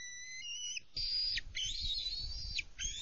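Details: Young female bald eagle at the nest on 24 June 2020, after overshooting a landing while the adults deliver prey and a live fish; long, high, whistled tones with harmonics, sliding and held, over low rumbling noise.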